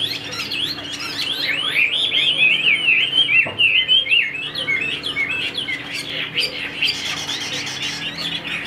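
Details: Caged Chinese hwamei delivering a rich, varied song of rapid whistled slurs and twisting notes, continuous and energetic, with a steady low hum underneath and a brief click midway.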